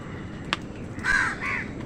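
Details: Crow calling near food where wild birds and crows fight over it: two harsh nasal caws in the second half, with a brief click earlier over low steady background noise.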